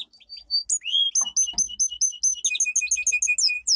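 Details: Domestic canary powerful training song: soft opening notes, a rising sweep, then quick repeated high chips and whistled notes accelerating into a lively trill.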